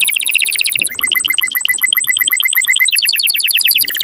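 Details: Strong canary singing meant to stir breeding birds to mate, delivered as continuous rapid trills that switch tour abruptly, with crisp repeated high notes rolling several times per second throughout.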